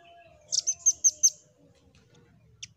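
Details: A nuthatch call used to provoke other birds into singing: a quick run of five sharp, very high chipping notes, then a single note after a pause, over a faint low hum.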